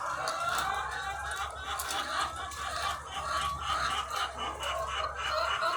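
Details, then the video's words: Thousands of egg-laying hens on a farm make a dense, overlapping chatter of clucks and squawks. Sharp cries stand out now and then over a steady low mechanical hum. "The Sound of Thousands of Egg-Laying Chickens"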